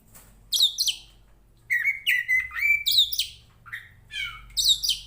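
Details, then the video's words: Oriental magpie-robin, a fighting-type Tretes bird used to train the mental toughness of similar birds, singing a varied song of loud whistled notes and sweeping phrases, some near-level at mid pitch, others bright and high, in bursts across five seconds. "SUARANYA BIKIN POCI KACER MANAPUN EMOSI Kacer teapot bird(Copsychus saularis)"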